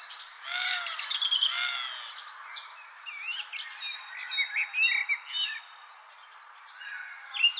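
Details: Baby birds, three in the nest, await food from their mother: two drawn-out squeaky calls with stacked overtones, then brief high twitters and chirps, with a constant high buzzing tone behind.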